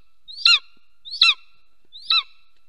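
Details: Three evenly spaced, high, falling yelps from a golden eagle mating at the nest, nest camera in Soomaa National Park, southwestern Estonia, 17 March 2024 at 10:47 am.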